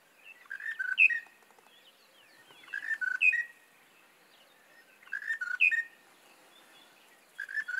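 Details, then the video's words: Monotonous Lark singing early in the morning near Shingwedzi Camp, northern Kruger National Park, repeating a short chirpy whistled phrase about every two seconds, each rising to a bright squeaky note. "Monotonous Lark singing early in the morning"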